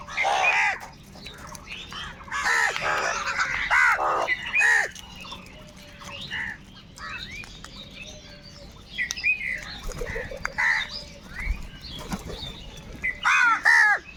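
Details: Crows crowding together to fight over food give clustered, harsh cawing bursts separated by quieter stretches of distant calls and faint chatter from the rest of the flock.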